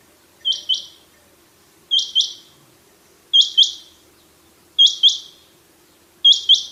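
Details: Rain quail (bulara, chinghi batair) calling a crisp, high, paired whit-whit, both notes clipped and metallic, repeated steadily about every one and a half seconds, five pairs in all, against a quiet low background hum.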